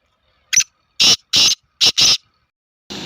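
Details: Black francolin, a Sindhi teetar kept for calling matches, giving a broken series of harsh, rasping, high notes: one short note, then four louder grating bursts within about a second, and another starting at the end.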